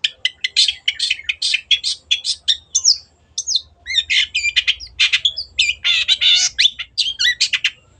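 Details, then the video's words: Energetic Long-tailed shrike song used to prompt silent birds to sing: dense bursts of rasping, buzzy chatter and sharp squawky notes in fast strings, with only brief pauses between phrases. "CENDET GACOR PANCINGAN MENGATASI BURUNG MACET ATAU BAHAN AGAR RAJIN BUNYI"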